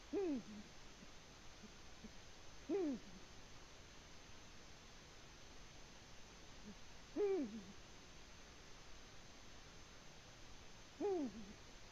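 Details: Eurasian eagle-owl at its nest in Latvia, 14 February 2020, giving four faint, low, arched hoots spaced three to four seconds apart over quiet background hiss.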